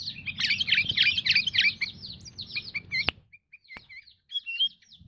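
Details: Sooty-headed bulbul giving a burst of busy chirping, then a pause and scattered single whistled notes, some slurred, separated by short silences and a couple of sharp knocks.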